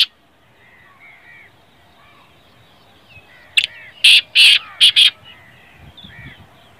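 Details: Black francolin calling: after a quiet stretch with faint, distant chirping, a burst of about five loud, harsh, grating notes packed into under two seconds, then soft background chirps again.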